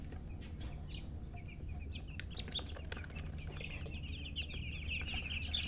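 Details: Chicken chicks chirping: a dense, overlapping stream of short high peeps, sparse at first and growing into a rapid run of rising chirps toward the end, over a steady low hum.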